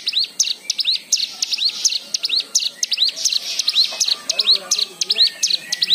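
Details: White-eye song for luring other birds into singing: crisp, high, arched chirps repeated in a brisk, fairly even rhythm, with a softer lower chattering behind them toward the end.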